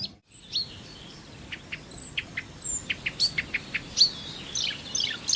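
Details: Marsh warbler, a bird that borrows from other species' songs: spaced, sharp, high ticking notes about every quarter second, a few thin whistles, then a short twittering flourish at the end.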